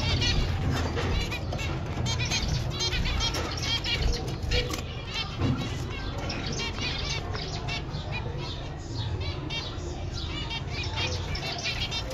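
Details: A pair of snow-white zebra finches gives quick, nasal, toy-trumpet beeps in a busy, overlapping chatter over a deep background rumble.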